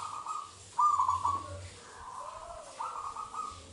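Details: Wild local Zebra Dove from Indonesia, played to lure other doves into singing: short rolling coo notes, one louder burst, then quieter trilled cooing, with low rumbling background.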